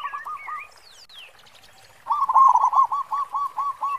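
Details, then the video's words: Zebra dove, a local bird with a big 'khong' voice suited for luring, gives a long run of rapid, evenly pitched rolling coos in the second half, after faint whistling and sliding notes from other birds. "Perkutut Lokal Gacor Suara Khong besar Cocok Buat Pancingan"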